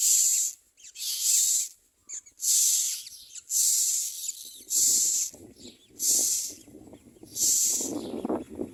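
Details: Common myna chicks being fed and screaming for food: seven harsh, hissing screams, each under a second, repeated at an even pace, with rustling and shuffling growing louder in the second half.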